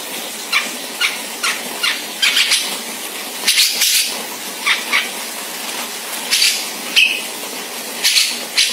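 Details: Sumatran grey-cheeked bulbul, dominant ngebeset delivery: a long run of harsh, scratchy rasping bursts at irregular intervals, with one brief whistled note partway through.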